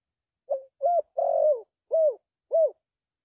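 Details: Spotted dove calling: five soft, hollow coos at low-middle pitch. The third coo is longer and slurred, and the others are short and arched. A quiet background.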